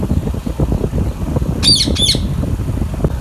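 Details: Pet baby Indian ringneck parakeet lets out two harsh, broad squawks in quick succession, about half a second apart, against constant low-pitched mechanical rumble.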